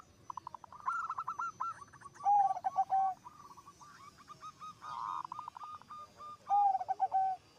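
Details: Zebra dove in lively song, said to set off other zebra doves: bursts of quick cooing notes alternating with loud low drawn-out whistles, one dense rolling phrase midway.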